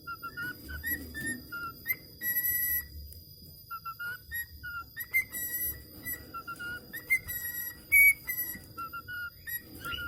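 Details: Budgerigar learning to whistle: pure whistled tones repeated in short phrases, some held long and level, others rising, interspersed with quick scratchy chirps and clicks.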